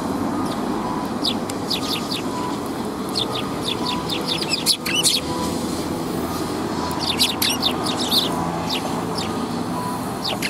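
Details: Sparrows coming to be fed at a Tenmangu shrine on an afternoon in mid-December 2021: bursts of short, sharp high chirps from several birds, clustered early and again late, over a steady low rumble of traffic.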